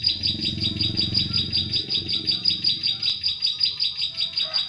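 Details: Bar-winged prinia lure song for forest trapping of prinias: rapid, regular high chirps about 2.7 per second, over a low rumbling background early on.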